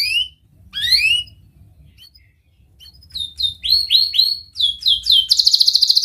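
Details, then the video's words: Chattering canary singing as a lure for young canaries learning to sing: scattered rising whistled sweeps, then a run of quick downslurred notes that speeds into a dense, rapid buzzing trill at the end. "Kenari Gacor speed Rapat WIT Wit Tajam Cuit cuit ngeroL, pancingan kenari PAUD BELAJAR BUNYI"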